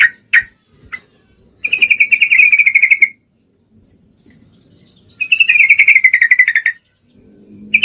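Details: Calling for a male, a female Yellow-vented Bulbul in breeding condition gives a few sharp single notes, then two long trains of fast, evenly spaced chattering pulses drifting slightly lower.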